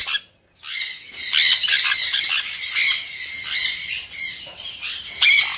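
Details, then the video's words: Sun conure squawking in a near-continuous run of harsh, shrill screeches after a brief silence, with loud pulses spaced about every second. "เสียงนกแก้วซันคอร์นัว Conure Sounds"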